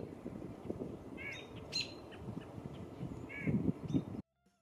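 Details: White-breasted nuthatch (Sitta carolinensis), a common Midwestern US backyard bird, giving its distinctive laughing call: a few short, nasal, slightly rising notes over about four seconds, against steady low rumbling background noise.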